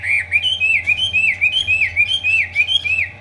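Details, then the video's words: Chinese hwamei singing while fanning its tail and spreading its wings in an eagle-like display: a fast string of loud, clear, rising-and-falling whistled phrases repeated almost without pause. "chim họa mi hót xòe, chơi cánh đại bàng"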